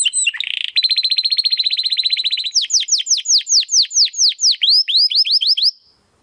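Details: Chatty domestic canary, crystal-voiced, singing master song for training competition birds: a short chip, then a very fast even rolling trill for nearly two seconds, followed by loud, high, down-slurred whistles at a slower pace, ending abruptly.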